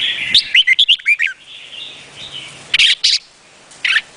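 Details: Red-whiskered bulbul of Vietnamese type delivering a quick string of crisp, bouncing whistles in the first second and a half, then a pause and a few loud separate notes over faint background birdsong.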